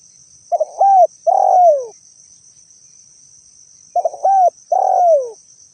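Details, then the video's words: Spotted dove cooing, recorded as lure sound. Each of two phrases opens with a few clipped stuttering notes and ends in a drawn-out coo gliding down in pitch, separated by silence. A steady high hiss persists throughout. "suara asli burung tekukur cocok dijadikan suara pikat"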